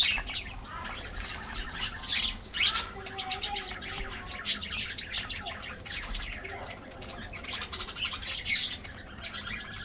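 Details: An aviary flock of colorful budgies during a morning diet treat, heard as a continuous high twittering of short chirps and warbles, with a few soft lower notes underneath.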